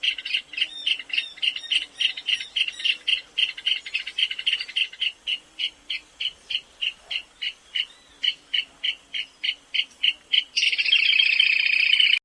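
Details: A shy rail of drier thickets, scrub, wet pastures and savanna gives its trilled song, a long, clicking, high trill of evenly spaced notes, about three per second, running together into a dense tinkling rattle at the end.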